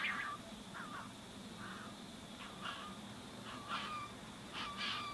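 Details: Young Tawny Frogmouth chick being fed by a single parent in a back yard in Greensborough, Melbourne, January 2017: soft, short, rasping calls in irregular bursts about a second apart, fairly quiet over low background hum.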